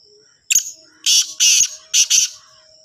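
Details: Black francolin calling in the evening near Sargodha: one short harsh note, then three loud, grating, buzzy bursts in quick succession, over a steady high thin whine in the background.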